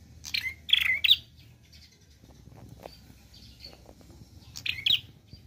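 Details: Prinia, known as prenjak klawu, singing actively in a varied 'nembak' style: a few buzzy, rising-and-falling high chirps in two bursts separated by a quiet pause, with faint low background hum.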